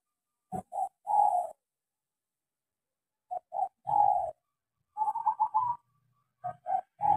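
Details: Local zebra dove lure song for stimulating doves that have stopped singing: short coos leading into a longer mellow coo, repeated, with one quick trilled run of notes in between, plus soft low thuds.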